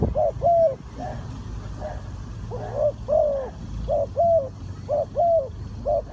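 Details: Spotted dove, Ninh Thuận, tied to bird trapping: mellow arched coos in irregular pairs and triplets, with a faint second caller and low traffic-like rumble.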